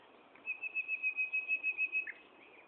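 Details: Common nightingale singing at Gaasperzoom on 16 May 2012 at 15:30 in the afternoon: a rapid pulsed run of about ten high whistled notes, swelling and fading, delivered on one steady pitch.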